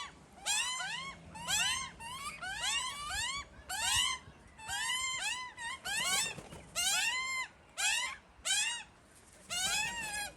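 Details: Two hungry Australian magpie chicks tucked away in a tree, crying for food while their parents tend them: loud wailing, harmonic calls that bend up and down, given in bursts about once a second with short pauses.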